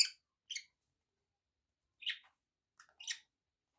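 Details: Pet budgerigars kept indoors give short, sharp, high chirps, two close together near the start and two more after a pause of about a second and a half, with silence between the calls.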